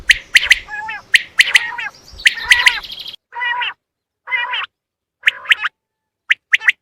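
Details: Quail hunting lure call: sharp three-note bursts of high clipped notes over a noisy background, followed by separate harsher, nasal, harmonic notes at slower spacing.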